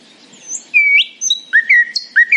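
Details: Brief morning phrase from a nightingale: clear drawn-out whistles sliding up and down, with short sweet notes repeated in quick succession over a faint hum.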